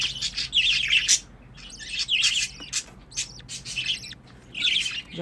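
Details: Pet budgerigars chatter in four quick bursts of high, scratchy warbling and clicks, each under a second long, with short quiet gaps between.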